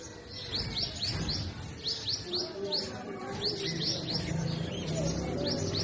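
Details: In north-west Pakistan in spring, a purple sunbird sings and chirps from forest trees, giving runs of sharp, high rising-then-falling notes in rapid groups, with a steady low murmur underneath.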